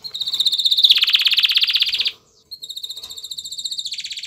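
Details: Courting male canary encouraging a female to mate: a rising, loud, buzzy rolling trill, a brief silence, then a thinner, high, quickly repeated whistled roll that drops into a lower trill.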